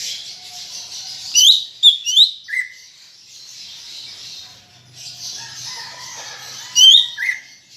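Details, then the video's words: Cucak ijo, or greater green leafbird, in chattering 'ocehan' song intended to stimulate kept birds: a few high twittering notes and a lower whistled slur, long quiet gap with hiss, then another twitter and slur. "Ocehan Cucak Ijo Gacor untuk Pancingan Bunyi"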